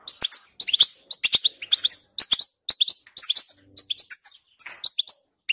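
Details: European goldfinch song to get a goldfinch singing: a steady stream of crisp chirps and buzzy twitters, about two notes a second, with irregular short pauses.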